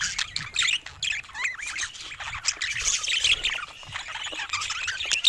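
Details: Several pet budgies chatter together, squawky warbling notes and quick rising-falling chirps layered over one another in a constant high twitter, one clear wavering warble standing out early on.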